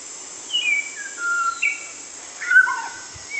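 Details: Colourful white-rumped shama singing sweetly: clear whistled notes slide downward one after another, then a twisting burst and a rising slur, over a steady high insect whine.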